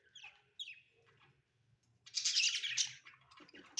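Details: Pet budgies at home: two thin rising chirps, then a loud, harsh, buzzy burst of chatter lasting under a second, with softer trailing chirps.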